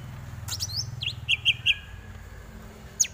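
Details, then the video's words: Greater green leafbird tutor song: a brief flurry of high, thin notes, then three clear, evenly spaced chirped whistles, followed by quiet and a final sharp high note. "Lagunya Masuk ini Bos, Enak buat masteran"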